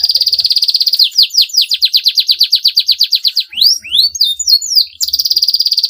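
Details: Canary delivering a long, rival-provoking song: rapid high trill, then a steady series of downslurred chirps about three per second, a burst of sweeping whistles, and the fast trill again.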